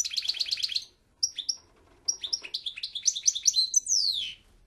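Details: Goldfinch song: a fast tinkling trill, a pause with a few scattered chips, then a run of bright twittering notes that closes in a long falling slurred whistle.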